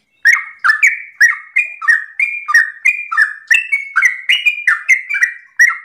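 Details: Sooty-headed bulbul singing continuous 'ropel' song in the morning, used to make other bulbuls reply: about fifteen quick, liquid, downward-sliding whistled notes strung together with barely a break, clean and close.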